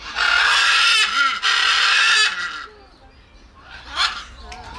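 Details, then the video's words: Macaw, a South American parrot, giving loud rasping screeches for over two seconds, broken briefly, then quieter chatter and a short call near the end. "Macaw Ara Papağanı Sesi Ötüşü"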